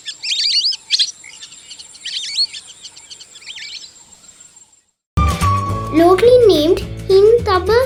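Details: Lesser Whistling Duck (Indian whistling duck) in Sri Lanka, at Diyasaru Park, Kotte, Colombo, giving clear, high whistled two-note calls in quick bursts over about five seconds, followed by a child's voice speaking.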